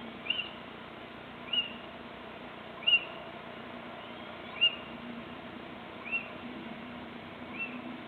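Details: Little owl heard on 26 March 2014, giving clear, high, short yelping notes at uneven gaps of one to one and a half seconds, six in a row, against a steady low hum.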